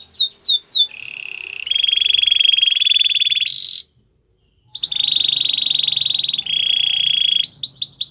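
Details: Canary training song: opens with quick falling whistled sweeps, then long rapid buzzy trills held at a steady pitch, each roll shifting slightly higher, a brief silent pause midway, more steady trills, and closing with falling sweeps again.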